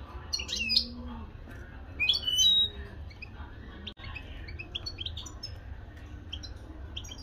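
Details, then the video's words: European goldfinch giving scattered, high tinkling twitters with a few harsher buzzy bursts early on, over a low steady indoor hum. "مقنين حسون بلدي"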